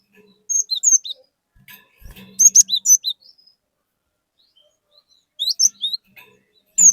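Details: Persistently singing cinereous tit used as a lure for an untrained tit: three phrases of high, slurred whistles spaced by a few seconds of quiet, with a brief low hum.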